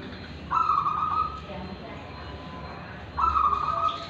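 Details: Local wild-strain zebra dove from Tulungagung, Indonesia, singing in the prized ulem and kristal voice styles: two sustained, trilled, purring notes about two and a half seconds apart over a low background hum.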